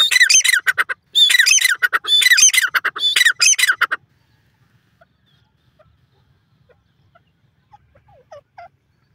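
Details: A partridge calling in a forest: loud, harsh, squawking calls in three quick rattling bursts over four seconds, then quiet with a few faint distant notes.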